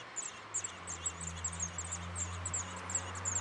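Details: Eurasian blackbird nestlings in a backyard nest in Weert being fed, giving thin, very high squeaky begging calls in a rapid, uneven stream, over a steady low hum.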